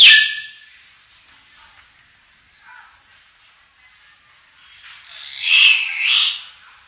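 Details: Common hill myna singing naturally: a sharp, loud burst at the start, quiet scattered notes, then two strong piercing shrieks close together near the end, little else heard.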